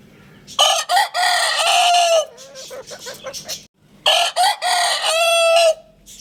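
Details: Two full crows from a Lohmann Brown rooster, each opening with short choppy syllables and stretching into a long held harmonic note, with brief clucking between them.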